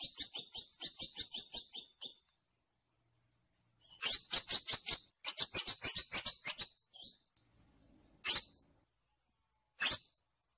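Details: Very high, thin trills from a scarlet-backed flowerpecker, with an even run of rapid notes, then clustered twitters and three isolated sharp notes spaced well apart. No background noise.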